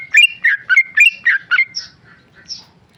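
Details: Short ropel burst from a tame male sooty-headed bulbul: six quick burry whistled phrases, then softer scattered high notes as the singing trails off.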